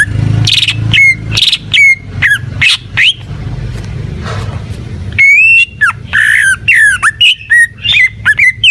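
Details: Greater green leafbird (cucak ijo) in gacor singing. Whistled notes drop and then rise, broken by a quiet gap midway. After it comes a loud burst of rich, varied warbling whistles.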